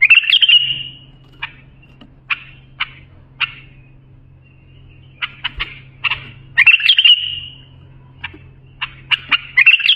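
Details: Bulbul song used for tutoring young bulbuls: short sharp notes spaced irregularly, broken by bursts of bubbly, buzzy trills that hold a steady high pitch, over a faint low electrical hum.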